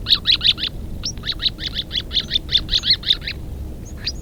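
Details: A flock of White-crowned sparrows, making a rare appearance, gives sharp, high chip notes in quick succession, about fifteen over four seconds with a brief pause near the middle; faint low rumble underneath.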